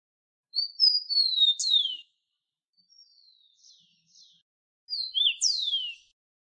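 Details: A Rufous-collared Sparrow (Zonotrichia capensis), common around Bogotá, Colombia, sings clear, high whistled phrases: slurred notes, a soft trill in the middle, and a final sweeping downslurred whistle.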